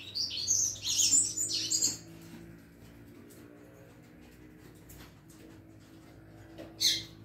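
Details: Young double-collared seedeater still learning its song: a quick jumble of high, scratchy warbled notes lasting about two seconds, followed by quiet clicking and shuffling, then one last sharp high note near the end.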